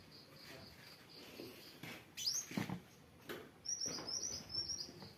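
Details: Kolibri wulung sunbird in gacor form. A soft repeated thin peeping leads to a quick burst of high, tinkling, twittering notes near the end, with some clatter and background noise.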